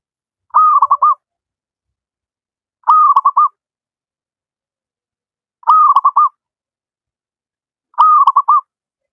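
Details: Wild local zebra dove, recorded as master song for doves that sing too little: four repeated cooing phrases, roughly every two to three seconds, each a long note dissolving into quick stuttering beats.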